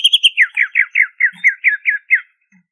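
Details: Banyuwangi greater green leafbird, ngentrok song: three high clipped notes, then about ten slurred notes falling in pitch, repeated roughly every fifth of a second.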